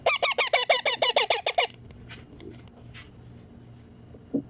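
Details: Baby Indian ringneck parakeet, a green pet parrot, being fed: a fast series of about fourteen rasping, nasal begging squawks, then quiet with faint clicks and rustling.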